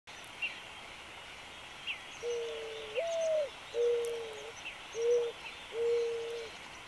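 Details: A mourning dove sings in the early morning in Big Bear Valley, giving low, mournful cooing: a soft opening coo, a higher swelling note, then three steady hooting notes, with faint chirps from other birds behind.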